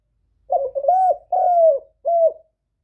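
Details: Spotted dove kept as a caller bird, loud clear voice, recorded with no other noise: one phrase of hoarse, mellow coos, a quick double opener, a long slightly descending coo and a short closing coo.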